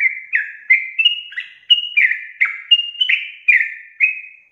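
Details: Vigorous long rapid song of a sooty-headed bulbul, meant to make other bulbuls sing fast: clear whistled notes, many falling in pitch, delivered in a steady unbroken string with no other sounds.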